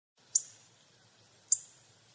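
A hawfinch gives two sharp, very high, explosive 'tzik' notes about a second apart, over a faint low background hum.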